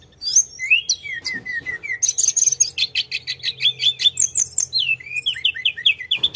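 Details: Sunda robin in full, energetic rolling song, opening with looping whistled slurs, then a dense train of rapid repeated sharp notes and chattering trills ending in a series of bright rising whistles; faint steady hum underneath.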